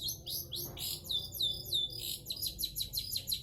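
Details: Long-tailed shrike singing vigorously: a fast run of high, sharp downslurred whistled notes repeated about three per second, with a faint low hum behind.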